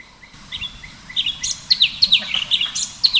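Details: A bulbul, also labelled orange-bellied leafbird (Chloropsis hardwickii, cucak cungkok), sings a rapid run of bright, clear whistled notes, mostly high-pitched and slurred, about three per second over faint background hiss.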